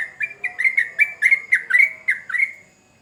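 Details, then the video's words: Yellow-vented bulbul in rapid rolling song: a tight burst of about a dozen liquid, bubbly notes with falling slurs, ending abruptly and leaving quiet. "Trucukan Gacor Ngamuk Bikin Candu Semua Burung Trucuk pasti Nyaut"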